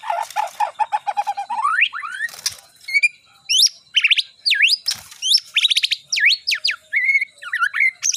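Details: White-rumped shama prepared for a singing contest, opening with a rapid string of low repeated notes, then rising whistles, sharp V-shaped sweeps and quick trills in a rich, varied phrase.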